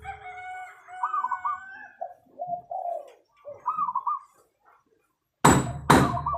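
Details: Zebra dove (perkutut) singing actively: soft, rolling, warbled coos in short phrases, repeated several times over about five seconds, then loud sharp clattering knocks at the end.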